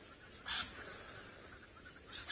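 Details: Two francolins alarm calling at sunrise on March 7, 2018 in Djuma Game Reserve, Sabi Sand, South Africa, near fresh leopard tracks, possibly at a leopard: two harsh, scratchy bursts about a second and a half apart over soft hiss.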